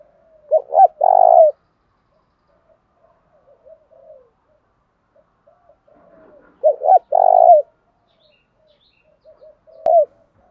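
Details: Spotted dove decoy singing to goad other doves into fighting: two full phrases about six seconds apart, each two clipped notes then a drawn-out, rolling coo, with faint soft notes between and a brief partial phrase at the end.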